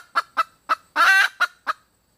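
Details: Female red junglefowl giving three short clucks, one prolonged buzzy squawk, and two more clucks within about two seconds, clear and close.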